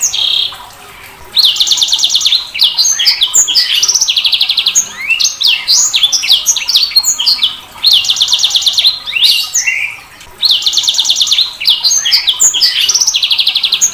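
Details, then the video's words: Extended sanger bird singing, repeated phrases of buzzy trills, sharp downslurred chirps and quick whistles, broken by several brief pauses. "Suara Burung SANGER"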